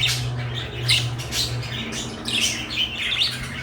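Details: Two domestic parakeets, one blue and one light yellow, let out sharp scratchy squawks and chirps in quick clusters over a steady low electrical hum.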